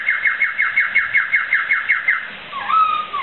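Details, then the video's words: Laughingthrush song for tutoring pet birds: a rapid, even series of about twelve short descending notes, then a dipping, swooping whistle. "Suara Burung Poksai"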